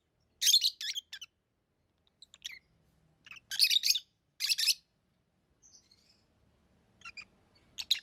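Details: Lovebird chirps: loud raspy bursts in twos and threes, mixed with fainter thin squeaks and a quiet low rumble in the background.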